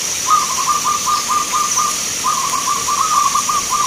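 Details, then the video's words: Zebra dove at a bird-song contest in Magelang, Indonesia, sings a long rapid trill of cooing notes, pauses briefly, then rolls out a second trilled run, over faint steady background hiss. "Perkutut Lokal gacoran Vs irama"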